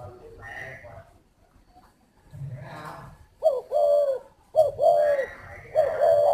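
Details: Cooing of a spotted dove arrives after a few seconds of murmur and a low hum: three hollow, downslurred coo phrases in quick succession.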